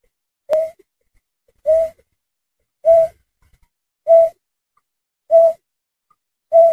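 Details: Berkik, a bird sound offered as a lure for bird trapping: a single low, hollow, pure hoot repeated steadily about every 1.2 seconds, six notes in all, in an otherwise quiet background.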